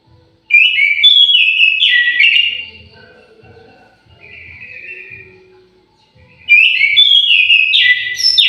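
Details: Orange-headed thrush in an aviary sings two loud phrases of varied whistled and warbling notes, separated by a quieter stretch of softer, lower song notes.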